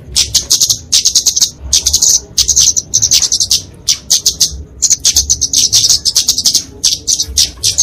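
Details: High, insistent ticking chatter from a flowerpecker in fighting song, used for training and luring songbirds; rapid thin notes come in clustered bursts almost without pause.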